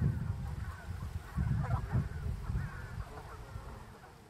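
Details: A Canada goose x greylag goose hybrid, one of four hybrid goslings filmed in summer 2020 near lake Mälaren, Greater Stockholm, gives a few short, nasal honks in the middle seconds over a steady low rumble of wind or handling noise.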